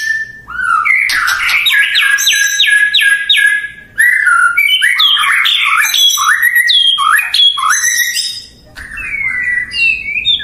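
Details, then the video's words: A white-rumped shama (murai batu) sings a loud, varied run of rich whistles: quick repeated notes, then rising and falling slurs, some very high and thin. The song is said to make other shamas respond at once. "MURAI LAWAN PASTI IKUT EMOSI DAN LANGSUNG NYAUT"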